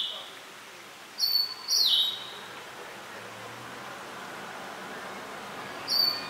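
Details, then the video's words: A liocichla gives a few sharp, high calls, one slurring downward, spaced over several seconds against a steady background hiss. "Suara Burung Pancawarna Bukit (Liochi)"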